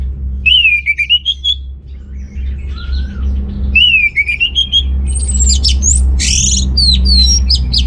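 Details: Orange-headed thrush singing loudly, used to provoke males lacking breeding drive: clear, rising whistled phrases repeated with short pauses, followed by a quick run of very high, sharp varied notes, over constant low background hum.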